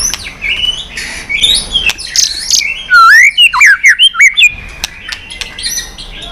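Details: Excited white-rumped shama in combative competition song, trained for varied forest voices: high buzzy notes give way to a fast run of loud, rising and falling whistled slurs, ending in softer chirps.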